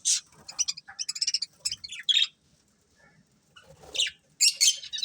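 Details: Breeding pair of budgerigars chattering in short, scratchy, high chirps and warbled bursts, with brief pauses between flurries and a loud burst of buzzy chatter near the end.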